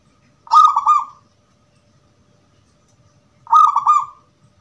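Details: Gedong mengo zebra dove singing its crystal-voice song, used to lure other doves into answering. A pair of bright, rolling coo phrases about three seconds apart, each bubbling quickly through several joined notes, near-silent between.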